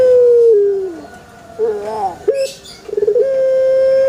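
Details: A falling end to one Pelung chicken crow, a wavering middle phrase, a short sharp note, then a rapid stuttering series building into a long, even, sustained crow note.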